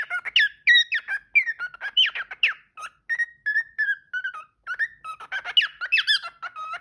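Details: Domestic parrot singing and talking, a rich jumbled warble of whistles, squeaks and sharp upward-flicking notes, some steady tones mid-way, delivered almost without pause in a quiet indoor setting.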